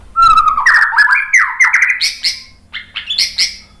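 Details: White-rumped shama (murai batu) lure song meant to draw replies from other birds: a rich, fast tumbling phrase of slurred whistles stepping upward, followed by bright squeaky chirps and short twittering notes.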